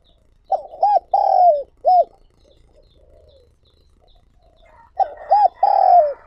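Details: Spotted dove used as a decoy for wild doves repeats its cooing phrase twice, about four seconds apart. Short rounded coos precede a long downward-sliding coo each time, with near silence between.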